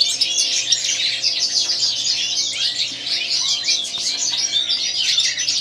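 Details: European goldfinch of the white-throat variety, singing a continuous bright jangle of rapid chirps, trills and squeaky notes, with a faint low hum underneath.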